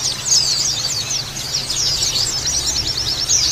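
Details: Lure recording of Oriental white-eye twittering: fast high trilled phrases and sharp chips running together in an overlapping chatter, over a faint continuous low drone.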